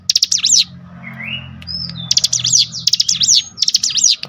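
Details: Cinereous tit in excited, lure-provoked song: quick bursts of high, sweeping chattering notes, broken midway by a few thin rising whistles. A low background hum runs throughout.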